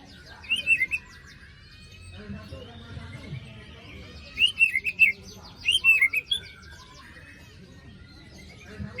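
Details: Song of a white-rumped shama, played as a trigger for a bird silent after moulting: three short bursts of bright, warbled whistles separated by pauses, with faint chatter in the background.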